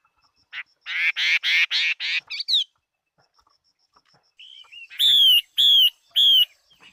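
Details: Chinese hwamei in competition song: a rapid series of harsh, buzzy repeated notes, a pause, then three loud, clear, ringing whistles.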